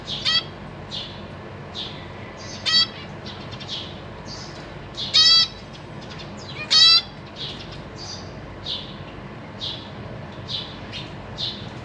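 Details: Caged zebra finch family, parents feeding three juvenile and three newborn babies on 14 April 2023: scattered soft cheeps broken by four loud nasal trumpet-like beeps spaced a few seconds apart.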